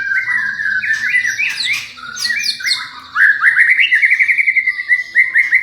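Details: Champion white-rumped shama singing to provoke other shamas into answering; bright slurred whistles tumble at first, then give way to a fast, steady series of rapid repeated notes lasting about two seconds.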